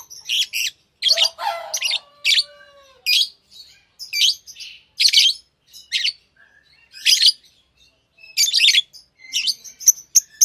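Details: Lovebirds chirp repeatedly in sharp high bursts about once a second, with a lower, rougher drawn-out squawk early on.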